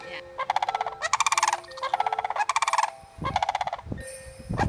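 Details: Sandhill cranes (Antigone canadensis), being fed grain and dancing nearby, give loud, rolling, trumpeting rattles in several bursts of about half a second, overlapping as more than one bird calls, with a few low background noises.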